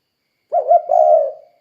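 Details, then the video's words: Spotted dove call played as a lure to prompt other doves to call: one short, low cooing phrase of two soft notes run into a longer, rougher coo, in silence. "Suara Burung Tekukur Gacor Kuk 2 Untuk Pancingan Derkuku Biar Cepat Bunyi"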